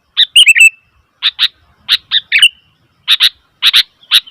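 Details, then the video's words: Noisy Sooty-headed bulbul giving clipped, scratchy chirps in tight clusters, one phrase sliding down into a brief warble, the notes spaced by short pauses over a few seconds. "Suara Burung Kutilang ribut"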